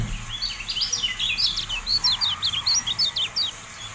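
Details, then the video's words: Javan white-eye tutor song: a sustained, rapid chatter of high, thin, zigzagging notes in even pulses, fading briefly at the end, over light hiss. "MASTERAN TERBARU KECIAL KUNING, FULL AUDIO"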